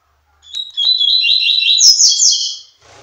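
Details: Male-style song of a Double-collared seedeater directed at a female: an opening high chip, then a dense, rapid stream of buzzy trilled phrases climbing toward a bright, squeaky finish, with a faint rustle afterward.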